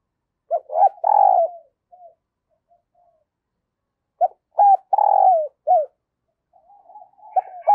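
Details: Early-morning decoy spotted dove calling wild doves. Two complete coo phrases of brief notes, a drawn-out falling middle note and a short ending are separated by a few seconds of silence, and a third phrase begins at the end.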